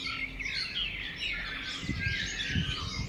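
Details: Birds heard outdoors in Thailand, with a tangle of high, quick chirps and twittering notes from several birds over low background rumble and hiss.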